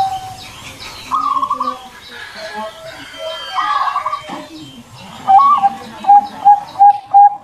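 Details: Zebra dove, a champion competition bird, singing: a run of short, clear, high cooing notes in quick succession near the end, after softer warbled phrases, with other birds chirping in the background.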